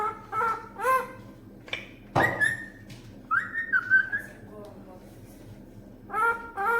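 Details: Green pet parrot talking, said to utter words like "Allah" and "look, guests have come"; short harmonic speech-like syllables, a sharp rising whistle and a sustained wavering whistled phrase, then more clipped syllables.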